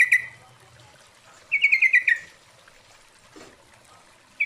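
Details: Female Yellow-vented Bulbul calling the male, played as a lure sound: a short burst of rapid chattering notes, then a longer rattled series of about six quick notes, then the start of another burst.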